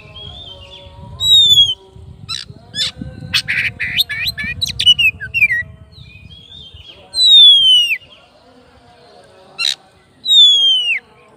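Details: Energetic oriental magpie-robin calling its rival in ngeplong style: a burst of mixed chirps and scratchy notes, then three long whistles that fall in pitch, over a low rumbling background.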